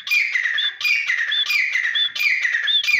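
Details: Teetar, the grey francolin, giving loud rapid harsh ringing phrases with short whistled notes, repeated continuously about every 0.6 seconds.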